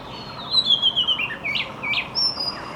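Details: A magpie-robin sings in the morning: a long, high, wavering whistle, then short sweet notes and rising chirps, over a faint background hiss.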